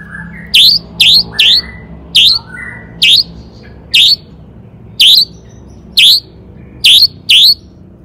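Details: Lure song of a long-tailed shrike meant to make other shrikes sing, "toet toet" type: sharp, evenly spaced downswept notes with buzzy tails, repeated roughly every half second to one second, with faint lower whistles between.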